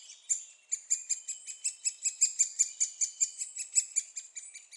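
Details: Young great spotted woodpeckers at Staverden, Netherlands, being fed by a parent, keep up a rapid, even string of piercing high chips, several per second, with a faint steady whistle beneath.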